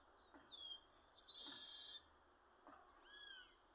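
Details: Chestnut-capped blackbird singing out in nature: a loud cluster of high, sweeping notes running into a harsh buzzy trill, then a pause and a single clear downslurred whistle, steady insect hum underneath.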